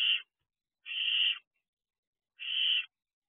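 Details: Young barn owls enjoying the outside of their nest box at 3:00 am in early June 2023, giving rough, noisy screeches of about half a second, three in sequence at irregular intervals in an otherwise silent night.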